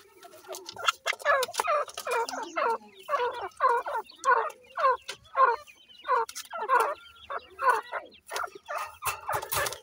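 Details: Grey francolin (dakhni teetar) chicks in a captive breeding setup calling in a fast series of harsh, harmonic notes, about two per second, with clicks and rustling between calls.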